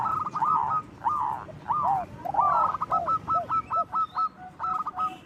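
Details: Zebra dove of local stock singing loudly as a lure for other doves; a blurred rolling opening gives way to a clear row of short clipped cooing notes repeated at a steady quick pace.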